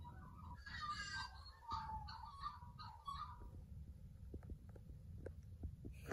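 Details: Magpies singing: a rich burst of warbled, fluting and chattering notes for about three seconds, then quieter scattered clicks over a steady low rumble.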